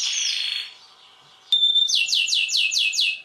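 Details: Canary rolling song for tutoring other birds: a brief buzzy roll, a short gap, then a sharp whistle and a run of six rapid upswept repeated notes.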